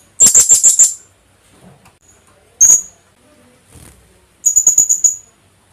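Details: Kulasisi, the Philippine hanging parrot, calling as a lure: a fast run of five shrill high notes, a lone sharp squeak, a faint soft sound, then a six-note high-pitched burst.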